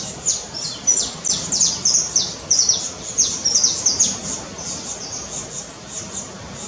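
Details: Red-legged honeycreeper filmed near a guesthouse in Cumuruxatiba, Bahia, Brazil; thin, high-pitched chips and short descending notes repeated at an uneven pace, about one to two per second, over faint background hiss.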